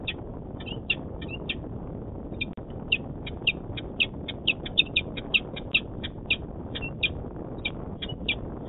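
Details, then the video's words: Adult male peregrine falcon at its nest site in Manchester, New Hampshire, on 26 February 2018, picked up by a nest camera: a long series of short, harsh notes, often paired, roughly three per second, above constant low hum. "Peregrine Falcon - Dad and noises"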